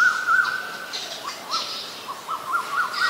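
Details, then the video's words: Asian koel (Eudynamys scolopaceus) giving a quick run of clear, rising whistled notes, several per second, over a faint hiss of insects. "นกกาเหว่า (Asian koel)"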